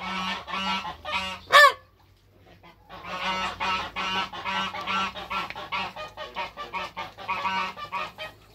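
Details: Toulouse goose mother with hybrid African and Toulouse goslings on their first day of life in a backyard; a steady run of short harmonic honks repeats throughout, broken by one sharp bang and a brief quiet spell.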